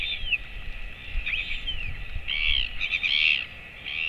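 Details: Father royal albatross feeding a 217-day-old chick late morning on 28 August 2024. Quick downslurred squeaks run into dense, harsh, wheezy chattering, with low thuds beneath.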